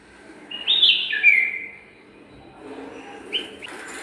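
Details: Garden bulbul, partner in a pair making a nest, sings a loud liquid whistled phrase falling in pitch, followed after a pause by a shorter softer note.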